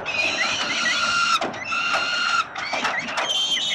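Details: Hungry peregrine falcon chicks being fed by the father at Collins Street, Melbourne, Australia, 30 October 2021, give continuous shrill, wavering begging squeals, several voices overlapping, with brief breaks.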